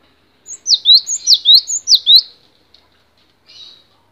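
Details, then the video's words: Gelatik batu (cinereous tit) masteran song: a rhythmic string of high two-note phrases, each sliding sharply down then up, roughly every third of a second, ending with a faint short buzz. "MASTERAN GELATIK BATU DURASI PANJANG"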